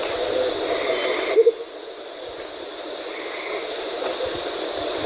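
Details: Andean motmot (Momotus aequatorialis), call.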